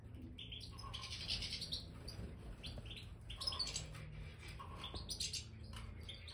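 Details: Aviary Major goldfinches, colour-bred European goldfinches enjoying freshly scattered bird sand, produce clustered high chirps and twitters in irregular bursts, with soft scratching and rustling throughout.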